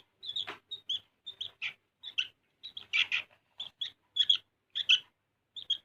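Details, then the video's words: Energetic sooty-headed bulbul song made of brisk paired chirps and short bubbly phrases, repeated about every half second across the whole stretch, clean background. "SUARA BURUNG KUTILANG GACOR"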